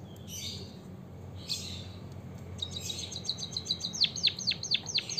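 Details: White-headed munia, called emprit kaji or bondol haji, used to prompt caged birds to sing: soft rustly notes at first, then a brisk series of thin chirps that become louder, steeply falling notes near the end.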